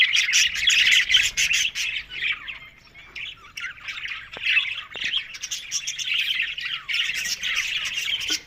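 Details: Budgerigars chattering together on October 1, a steady stream of squawky warbles and quick chirps from several birds, briefly softer in the middle before swelling again.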